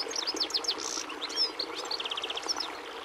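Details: European goldfinch singing: a dense tumble of bright chirps, a short buzzy note and a neat rapid trill of repeated notes, delivered without pause against a steady rushing background.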